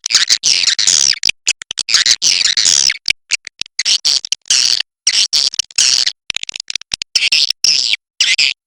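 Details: Cave swiftlet, given as a China type, producing sharp clicking trains interspersed with dense buzzy twitters that repeat in irregular bouts over several seconds.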